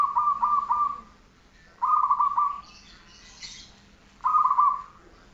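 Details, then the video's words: Zebra dove (perkutut) song for training: three separate phrases of soft, rolling coo notes, each burst about a second long, with brief hissing noise between phrases. "Masteran perkutut 1 jaman"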